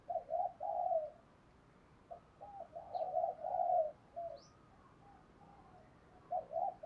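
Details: Spotted dove coos used to stir wild doves to answer and fight, heard faintly over steady background hiss: hollow, low notes in uneven bursts, with brief high chirps of another bird.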